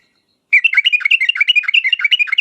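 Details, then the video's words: Yellow-vented bulbul (trucuk) in lively 'gacor' song of the sharp 'uplik uplik tarong ropel' style, played to make other bulbuls answer: a fast, continuous chatter of bubbling whistled notes after a short silence. "trucukan gacor uplik uplik tarong ropel tajam ini menjadikan burung trucuk gacor nyaut seketika"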